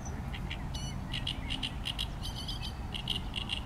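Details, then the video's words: A great reed warbler gives its typical song of loud, harsh, croaking notes in quick grating runs of repeated syllables, over a steady low rumble of wind or distant noise. "Drosselrohrsänger Gesang"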